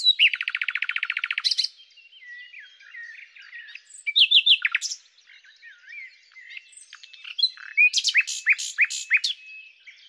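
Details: Common nightingale (Luscinia megarhynchos) singing: a loud, rapid, buzzy trill of fast-repeated notes for about a second and a half, then varied squeaky twitters, a sharp burst, and a closing string of quick repeated notes.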